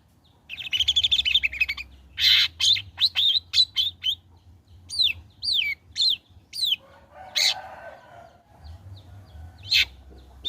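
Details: Long-tailed shrike singing vigorously after molting, as a lure for shrikes: quick scratchy chatter, then a string of crisp notes and several clear down-slurred whistles, with a gravelly burst and sparse loud chips near the end.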